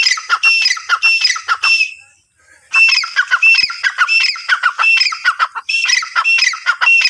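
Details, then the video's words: Francolin (teetar) calling in a rapid series of loud, harsh, ringing notes with bright overtones, repeated in bursts, a brief pause near the middle, then the calling resumes strongly to the end. "Teetar ki awaaz | teetar sound"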